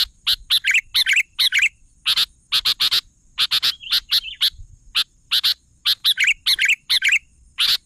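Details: Busy Sooty-headed bulbul singing: clusters of two or three sharp chips alternating with short descending warbles, repeated steadily through eight seconds.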